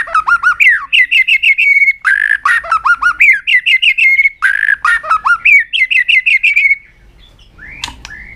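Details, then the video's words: Long continuous song of a tail-flicking White-rumped shama meant to provoke other birds: repeated bursts of quick rising whistles alternating with harsh buzzy notes, fading to quiet near the end. "chòe lửa kéo dây siêu dài,đánh đuôi thái độ kích chim hiệu quả"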